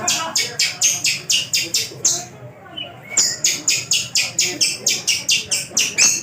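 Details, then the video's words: Tame caged long-tailed shrike from Java repeating a hard, buzzy note about twice per second in a steady series, broken once by a short pause with a faint whistle before the pulsing resumes. "pentet/cendet gacor | toed cocok untuk masteran semua burung"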